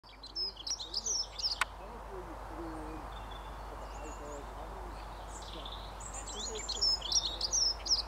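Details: A dunnock sings on its territory at Broadwood on 23 February 2023, in the first warm sunshine of the year: high, fast, squeaky warbling phrases at the start and end, over steady low hooting in the background.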